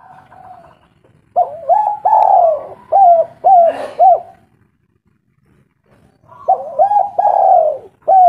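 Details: Local spotted dove, a lure recording meant to make other doves answer. Loud, low, mellow cooing phrases: a rising opening note, a long swelling coo, then clipped falling coos. A second phrase begins after a three-second pause.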